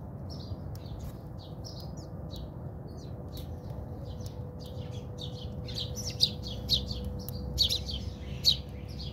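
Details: House sparrows fighting in a backyard in South Africa: a dense run of chirps builds to loud, shrill notes toward the end, over a low hum and a thin steady tone.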